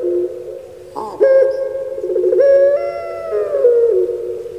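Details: Puter pelung, a kept dove famous on Java, Indonesia, gives a rolling trill that opens into a long, steady, slightly falling coo, the drawn-out 'kuk gerukkk kwokkk' voice.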